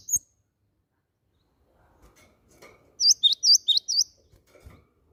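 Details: Timor sparrow calls used as a lure to make other birds sing: a quick burst of about six sharp, high chirps in the last half, after near silence with faint knocks.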